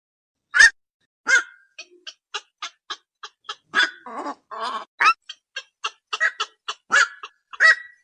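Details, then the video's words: Night heron calls: a series of short harsh croaks and clipped notes, some louder strained squawks, spaced irregularly about once or twice a second. "Night Hiron Bird Call"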